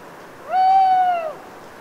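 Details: Single owl hooting in a Cévennes foothill wood at Les Assions, France, on an autumn night after rain. One sustained, level, slightly falling tonal note of nearly a second, clear over quiet hiss.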